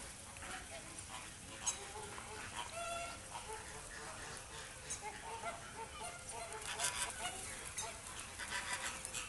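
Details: Captive Inca terns at feeding time in a bird park in the Netherlands: a busy chorus of short, harsh, nasal calls overlapping one another, over steady crowd noise and human voices.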